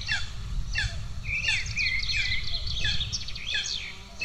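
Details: Golden eagle nestlings in Estonia, early June 2024, starving, with the first chick attacking the second: shrill piping calls and a drawn-out wavering whistle in the middle, repeated irregularly above steady low-frequency noise.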